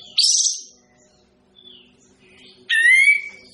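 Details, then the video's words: Burung kapas tembak, the olive-winged bulbul, opens with a short scratchy high burst, pauses with faint notes, then gives a strong falling-then-steady ringing note, all over a soft background hum. "suara burung kapas tembak"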